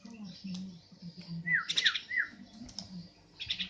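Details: Javan myna giving a harsh, buzzy squawk burst between short downslurred whistles, with a steady low hum and background music.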